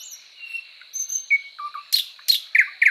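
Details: Thrush Nightingale song: thin whistles and slurred notes, then loud broadband clicks and rich chuckling phrases repeated in quick bursts toward the end.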